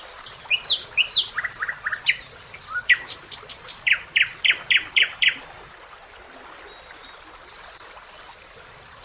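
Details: Summer song of a common nightingale by a river: varied whistled and chirping phrases, then a fast series of loud repeated notes, then a pause with quiet ambient hiss and a faint distant note.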